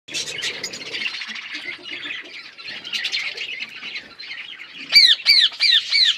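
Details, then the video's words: Parrots chirping while eating food: a dense, busy chatter of many overlapping high chirps, then four loud, harmonic squawks near the end, each sweeping downward and spaced about a third of a second apart. "birds eating food birds chirping sounds"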